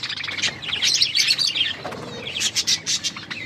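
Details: Australian parrots (budgerigars) eating corn: lively high warbled chirps tumble together for about a second and a half, a short lull, then a run of sharp clipped chirps repeated rapidly.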